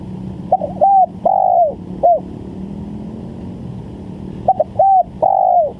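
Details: Spotted dove phrase used to lure birds for trapping, given twice: two or three clipped notes, a short coo and a longer falling coo, separated by a few seconds of low hum.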